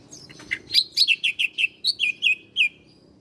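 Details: Bar-winged prinia, ciblek Koya type, recorded as a master song for cage-bird training: about ten clear, high, down-slurred notes delivered in an even, steady series after a couple of soft introductory chirps.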